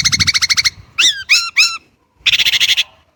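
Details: Chinese blackbird giving a rapid harsh chatter, then three separate curving, slurred whistled notes, then another quick burst of rattling chatter after a short pause; quiet low background rumble at the start.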